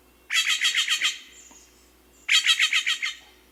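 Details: Steller's jay with the second of its two very common calls: a rapid, even run of about six harsh, grating notes, given twice with a one-second gap between the runs.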